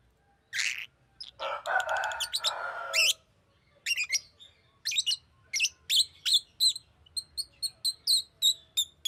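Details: Green lovebird chirping: a long harsh chattering burst, then rapid high chirps quickening into an even, evenly spaced ticking series.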